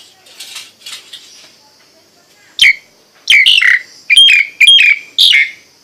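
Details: Kicau of a Nias hill myna, soft murmured notes first, then a run of loud falling whistles and sharp flat-topped calls in quick succession.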